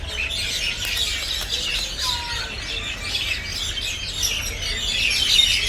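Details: Common mynas raising a loud chorus of rapid, overlapping chirps and scratchy squawks, busy and unbroken, with one short low whistled note standing out midway.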